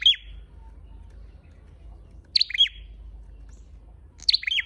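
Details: Red-headed flowerpecker lure call: three sharp, high chirps, each a quick doubled note dropping into a short buzzy tail, spaced about two seconds apart over a quiet background with faint low rumble.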